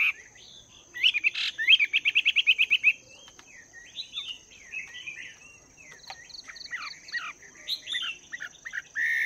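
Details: Morning voice practice by a wild-caught Chinese hwamei kept two months in a cage: a fast, even trill of harsh notes, then a varied stream of slurred whistles and scratchy phrases.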